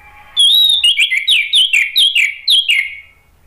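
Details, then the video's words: Lure song of a male orange-headed thrush to make other birds answer: a loud, continuous string of about ten rich whistled phrases, each dropping in pitch, delivered rapidly across nearly three seconds. "ANIS MERAH JANTAN SPONTAN NYAUT ¦ PANCINGAN AM ¦ TERAPI MACET"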